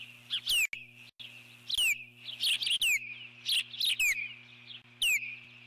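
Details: Alert calls from an eagle guarding its nest against a passing intruder, 12 July 2014: piercing downward-sliding whistles mixed with rapid chittering, in irregular bursts, over a low mechanical hum.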